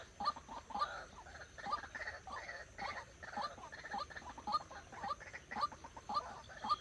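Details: Trained decoy white-breasted waterhen for bird trapping: rough, nasal notes repeated at roughly two per second, somewhat uneven, with overlapping softer croaks and a low background hiss.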